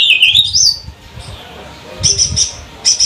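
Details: Lesser green leafbird of the trotol type, said to originate from Banyuwangi with a characteristic 'bebeci bebeci' chatter, singing as a lure to prompt other birds to sing. A rising whistled slur is followed by short bright chirps, over low background rumble.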